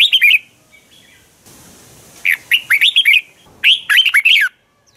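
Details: Red-whiskered bulbul fighting song used to train birds, sung in the morning: loud, clear phrases of rapid rising and falling warbled notes, delivered in three bursts with a brief hiss between.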